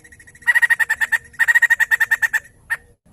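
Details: White-crested laughingthrush chattering loudly, a recording to prompt other birds to sing: soft lead-in notes, then two quick series of loud repeated notes and one final isolated note.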